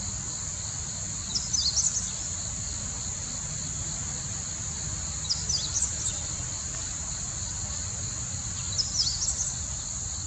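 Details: Meadow bunting (Emberiza cioides) singing, 14 October 2020: three brief high-pitched jingling phrases, roughly one every three and a half seconds, above a constant shrill insect chorus.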